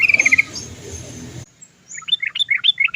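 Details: Sooty-headed bulbul, used as a lure recording to prompt caged birds to sing: a quick, bubbly phrase of warbled, rising and falling notes follows a brief fast trill and a sudden cut to quiet.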